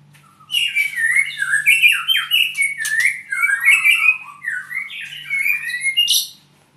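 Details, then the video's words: Sustained song from an albino white-rumped shama owned in Purwokerto: a long series of quick downslurred whistles and chirps, richly varied and unbroken for about six seconds, ending in a high shrill note, over a low hum. "murai albino"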